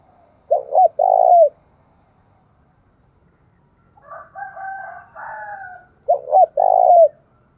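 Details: Spotted dove calling through the Đồng Nai forest, Vietnam: two loud phrases of quick rising notes and a long mellow coo, about five seconds apart, with a harsher, higher call from another bird between them.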